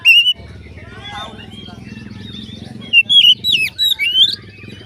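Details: Oriental magpie-robin song used to draw other magpie-robins into singing: one whistled note, a stretch of engine rumble and low noise, then a quick series of bright sliding whistles.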